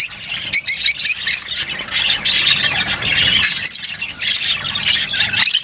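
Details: Lovebirds giving harsh squawks and shrill chirps over a steady background of busy twittering.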